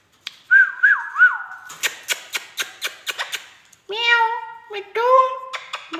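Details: Indian ringneck parakeet, a talking pet, whistles three looping notes, then a fast series of clicks, followed by nasal, harmonic meow-like utterances while the owner coaxes it indoors.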